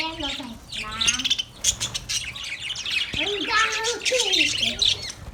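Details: Happy budgerigars playing in their cage chatter continuously, with sharp high chirps over lower, rising and falling warbled notes and a brief click near the middle.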